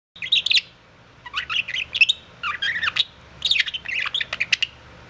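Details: Budgerigars kissing, giving quick bursts of scratchy warbling chatter and squeaky chirps in three or four groups separated by short pauses, indoors.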